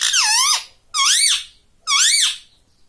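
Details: ['Pet ring-necked parakeet repeating "mummy": three loud, nasal, wavering syllables almost a second apart, each dipping and rising in pitch, in an otherwise quiet room.']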